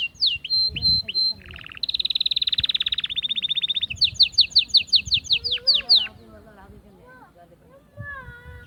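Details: Mating-stimulation song of an Atlantic canary: quick, down-slurred chirps and a lower buzzy phrase, a long, rapid, pulsing trill, then loud sweeping notes, followed by soft, scattered whistles rising and falling.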